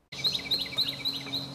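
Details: A very loud Carolina Wren, heard in a park during a trip to Stillwater, Oklahoma, sings loud, rolling phrases repeated about four times a second, bright and ringing, over a low steady background hum.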